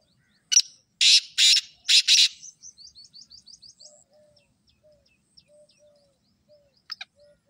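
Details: A black francolin utters one rough phrase: a sharp lead note and three heavy, buzzy bursts. A run of about eight quick, high ticking chirps follows, with faint low whistles afterwards.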